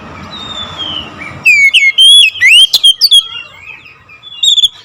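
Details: Oriental magpie-robin (kacer) singing in the loud 'nembak ngerol' style. After a quiet start, a rapid run of loud, clear whistled notes sweeps up and down, with a short burst near the end.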